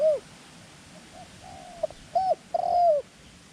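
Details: Captive dove calling as a lure for wild doves, a short opening coo, a pause, then two strong, smooth notes, the last one long and falling.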